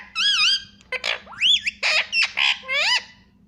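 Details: Pet Indian ringneck parrot chattering "mommy mommy" indoors: a rapid run of about eight nasal, wavering, speech-like syllables and harsh squawks, packed closely together.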